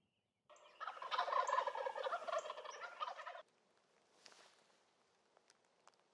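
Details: Wild turkeys in early spring in Rhode Island: a loud, rapid, rattling gobble that lasts about three seconds, then breaks off abruptly into quiet with a few faint distant sounds.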